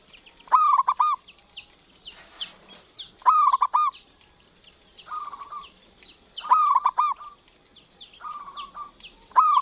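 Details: Local zebra dove singing actively: short bright cooing phrases of rapid stuttering notes, repeated roughly every three seconds, with softer trilled coos between, over constant thin high chirping from other birds.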